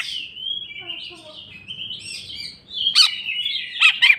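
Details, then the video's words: Greater green leafbird in full jamtrok song, bongkar isian: long wavering whistled phrases sliding up and down, with faint low notes beneath, broken near the end by sharp explosive chirps. "cucak ijo mewah ful jamtrok bongkar isian"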